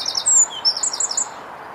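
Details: Eurasian wren singing on 25 April 2015 in the Rombergpark botanical garden, Dortmund: a brief burst of very high, sharp chirping notes in quick succession, with a few clear repeated notes near the end, over faint hiss.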